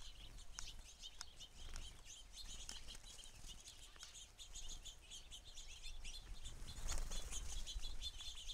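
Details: A crowd of house sparrows at a feeder giving busy, overlapping short chirps and chips, with occasional wing flutters and a steady low background rumble.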